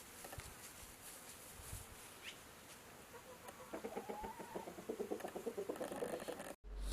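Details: Chicken clucking: a quiet stretch with faint background noise, then a run of short, low, buzzy clucks repeated roughly every half second over the last three seconds, ending in an abrupt cut.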